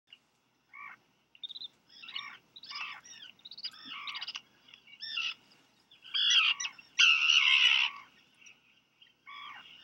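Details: Black guillemot chicks begging as both parents deliver a fish to each, at a nest on Seal Island National Wildlife Refuge, Maine, USA, July 4 afternoon; irregular high thin peeps and trills, building to a loud harsh burst near the end.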